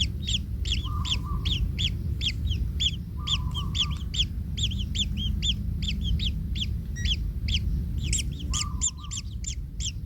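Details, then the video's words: Kingfisher nestlings under a parent that steps on a chick: long runs of harsh, rasping begging notes in quick uneven succession, with short steady tones and a constant low rumble behind. "Anak Tengkek Terinjak Induknya Hingga Kesakitan - Baby Kingfisher bird nest"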